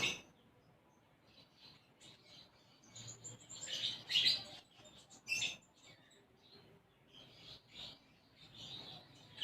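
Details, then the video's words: Konin sunbird singing in the lively gacor style with isian gereja, a fill of sparrow-like phrases: scattered sharp high chirps and short buzzy bursts, loudest around the middle, with quiet gaps between clusters. "Konin Gacor Isian Gereja"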